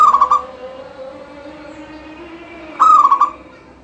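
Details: Energetic song of a local zebra dove, meant to trigger other doves to sing. The tail of one phrase opens the recording, then one complete phrase follows almost three seconds later: a crisp note running into rapid, pulsing coos.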